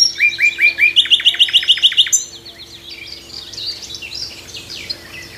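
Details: Nightingale singing from a tree in the morning: a few rising whistled notes, then a fast rattling series of sharp repeated clicks, followed by quieter varied twittering phrases over a faint background chorus of other birds.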